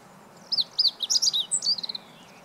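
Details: Meadow bunting (Emberiza cioides) singing, recorded 20 March 2015: one brief phrase of high, sharp notes that begins with separate chips and speeds into a quick trilled ending, all clear over a quiet background.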